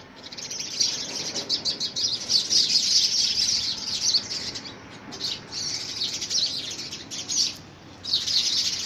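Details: Competing house sparrows contest a handmade nest box during the first week of February 2017; rapid, insistent chirps repeat several times a second in loud runs broken by short pauses.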